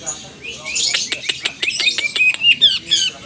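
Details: Green leafbird with pied plumage learning the ngetrok style and answering rivals ahead of a contest; quick bursts of high chirps and rattling notes, interspersed with loud clicks.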